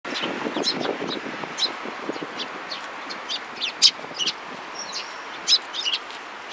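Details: Sparrows flying into a cherry tree at a Tenmangu shrine on 24 March 2023. Short, bright chirps come scattered and irregular, some loud and some fainter, over a low steady background hiss.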